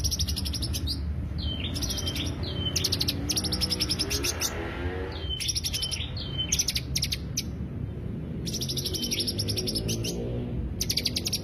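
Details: Greater green leafbird song used as a lure: bursts of rapid, very high, buzzy trilled notes broken by short pauses and thin downslurred whistles, over a steady low hum.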